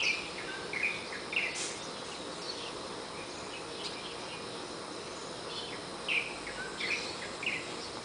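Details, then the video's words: Warbling white-eyes nesting in a Malabar chestnut tree outside a bedroom window, first dawn song around 04:45–04:50, giving short, high, thin chirps in two loose bursts of about three notes, over a steady hiss of insects and background noise. "神奇的綠繡眼_神準鬧鐘Morning Call"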